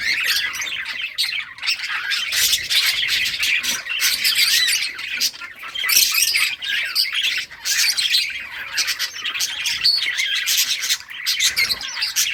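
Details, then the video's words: Many colorful budgies playing and chirping in summer breeding season: continuous bright chatter of high squawks and tweets from a colony, rising and falling in loudness throughout. "budgies beautiful colors playing and chirping"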